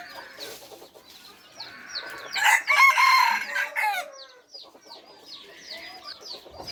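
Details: Red junglefowl of the F3 generation gives one strong crow lasting about a second and a half, harsh and broken into stuttering syllables. Quick high chirps from many small birds run through the whole recording.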